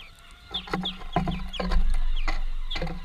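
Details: Greenfinch family at a workplace feeding: clustered high, slurred-down call notes mixed with sharp clicks and knocks, over a persistent low mechanical hum.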